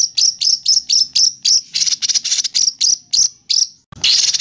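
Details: Agitated, actively singing white-rumped shama in a training recording: a fast string of sharp, high, rattling notes, roughly three per second. A brief pause follows, then a louder harsh burst at the end.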